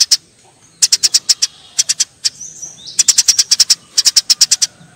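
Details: Fighting Eurasian tree sparrows give rapid strings of bright, high chirps, several short volleys separated by brief gaps, with a faint squeaky note between bursts.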